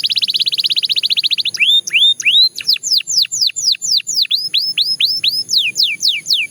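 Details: Belgian canary song opening with a fast high trill, then rising whistled notes and a long run of sharply falling whistled slurs.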